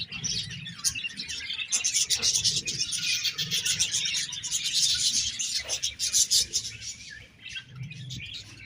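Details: Budgerigars chirping together in a dense, continuous chatter of high twittering notes and short squeaks, swelling and fading over about nine seconds with faint low thumps beneath.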